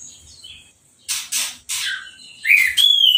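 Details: Orange-headed thrush singing after moulting and a hose-spray bath, uncovered: short buzzy bursts followed by clear rising and level whistled notes near the end.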